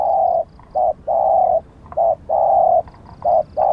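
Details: Spotted dove kept as a decoy to catch wild doves, calling a steady run of loud low coos, long and short ones alternating, roughly one per second, each flat and hollow-toned.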